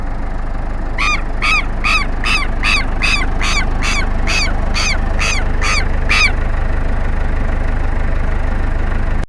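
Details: Southern lapwing mobbing an elderly man: a long run of about twelve harsh, ringing calls, evenly spaced roughly every half second over a constant low-pitched background hum, then quiet.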